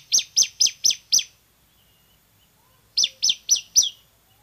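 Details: Loud tutor recording of an active bar-winged prinia: a series of five sharp, downward-sweeping high chips, a pause of about one and a half seconds, then four more, all crisp against silence.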